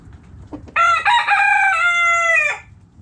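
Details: Backyard rooster crowing: two short clipped notes, then a long harmonic-rich crow held level for nearly two seconds before dropping off, over faint low background rumble.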